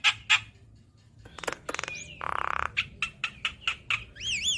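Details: Active singing from a Javan myna used to train cage birds: loud squeaks, clicks and a grating buzz, followed by wavering whistled trills.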